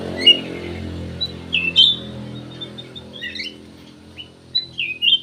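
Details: Ruby-throated bulbul delivering spaced, sweet slurred whistles and quick chirps over a continuous low droning hum.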